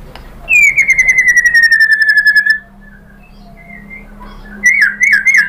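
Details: White-rumped shama song meant to prompt other birds to answer: one long clear whistle gliding slowly downward for two seconds, a quiet gap, then a burst of quick rich warbled notes.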